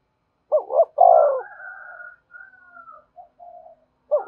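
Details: Spotted dove cooing to challenge and lure wild doves: two short clipped coos, then a loud deep drawn-out coo, a faint higher sliding tone, scattered soft coos, and another loud coo starting at the end.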